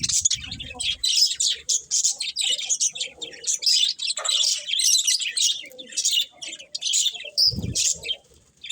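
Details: Budgerigars kept as pets chatter in quick bursts of high, rasping chirps and squeaky whistled notes, a steady busy twitter with short gaps, plus low knocking sounds at the start and near seven seconds.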